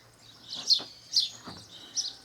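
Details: House sparrow in Brazilian nature giving three quick, harsh chirps in succession, each a brief downward-sweeping note with a buzzy edge.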